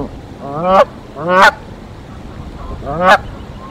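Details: Canada geese on a Decorah nest on 1 April 2024, a mated pair defending against an intruder goose: three loud, harsh, rising honks, each about a third of a second, spaced unevenly over almost four seconds, against a low steady background hum.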